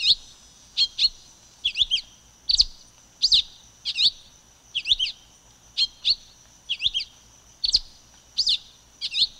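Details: Long run of silver-beaked tanager song: around a dozen high, sharp doubled chirps delivered in an even, unhurried rhythm, each note slurring up and down, background quiet.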